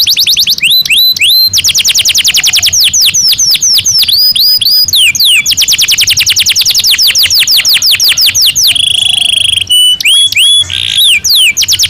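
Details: Breeding-season canary in a cage delivering a continuous loud song: rapid trills of clicky repeated notes alternating with looping downward-sweeping whistles and short buzzy phrases.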